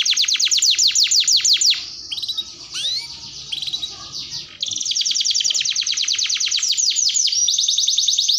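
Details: Canary 'pancingan' lure song: a fast high trill breaks off into quieter scattered chirps and a rising whistle, then resumes as sustained buzzy rolling trills, with soft background noise throughout.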